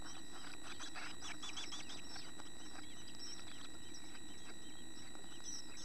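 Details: Chickadee nestlings in a nest box, almost ready to fledge with tail feathers grown and eyes open, beg with rapid, thin, high chips in a busy cluster over the first three seconds, then thin out against a steady low rumble.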